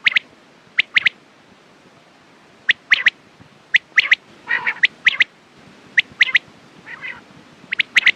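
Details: Quail calls, presented for morning and night use: short, sharp notes in quick groups of two or three, repeated every second or so, with two softer, buzzier bursts between groups over a quiet background.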